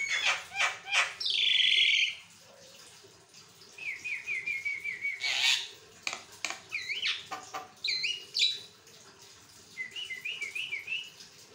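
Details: Javan myna chattering on without stopping, used for training other mynas to sing: harsh notes, a long buzzy squeal, quick warbled runs and rising whistled notes in varied bursts.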